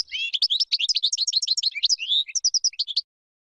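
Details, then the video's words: European goldfinch singing a lesson for chicks, described as mistake-free: three seconds of rapid, bright twittering with rising and falling slurred notes, short trills and a few clipped chirps at the close. "تغريد طائر الحسون بدون أخطاء لتعليم الفراخ"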